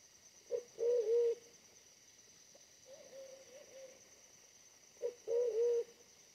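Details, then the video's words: Smaller, aggressive wild pigeon drawn in by a decoy: loud double-pulsed coos repeated about every four seconds, soft humming notes between, continuous high insect hiss in the background. "mikat merpati hutan BL bodi lebih kecil dari pikat tapi ganas banget"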